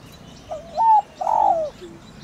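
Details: Farmland spotted dove calling in thổ đồng style to lure: a soft low hoot, a brighter sustained coo, then a long, slightly descending note trailing off quietly.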